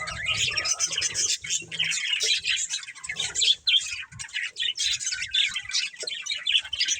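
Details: Rapid, chattering chirps from a breeding pair of budgerigars, notes tumbling several per second in an irregular warbling stream over faint low bumps.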